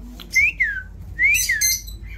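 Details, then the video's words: Pet Indian ringneck parrot, known for talking, whistling two clear rise-and-fall notes, each climbing then sliding down, separated by a short pause. "অসাধারণ কথা বলে চন্দনা টিয়া"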